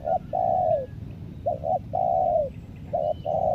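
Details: Lombok spotted dove decoy singing to draw in wild doves: a long coo, then twice a pair of brief notes leading into a sustained, gently falling coo, delivered loudly and evenly.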